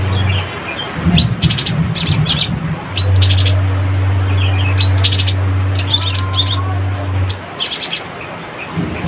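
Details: Cinereous tit delivering its energetic rattling chatter to summon rivals: repeated bursts of sharp, high, buzzy notes mixed with short upslurred chirps throughout, over a persistent low mechanical hum.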